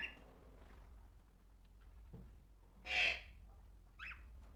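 A single loud, harsh screech rings out mid-way, followed by a softer, shorter squawk a second later; faint chirps and a low background hum fill the rest.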